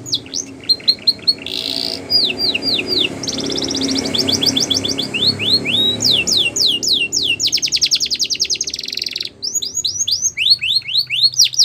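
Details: Border canary song meant for training young canaries, built from tours of sharp downslurred whistles, a brief buzzy burst, then dense rolling trills and a final run of quick slurred notes, over a low room hum.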